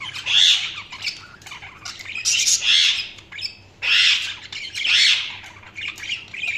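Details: Budgerigars giving loud, harsh, high squawking chirps in bursts about a second apart, with softer chattering between them.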